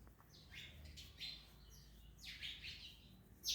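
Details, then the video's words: Parrots eating an orange give drawn-out grating squawks, some sliding downward, ending with a sharp loud screech. "Parrots Eating Orange (Mian Mithu Eating)"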